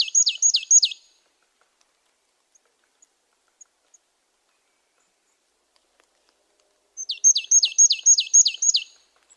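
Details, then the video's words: Marsh tit giving two bursts of high, sharply falling notes, four in the first and six in the second, fast and evenly paced, separated by several seconds of near silence with faint ticks. "Marsh tit 1h bird sound"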